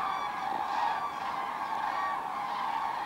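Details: Wild common cranes, part of a gathering of some 24,000 at Kvismaren, Sweden, coming in to roost in the wetland; a dense, continuous chorus of overlapping honking trumpet calls from a large flock, with a person laughing softly.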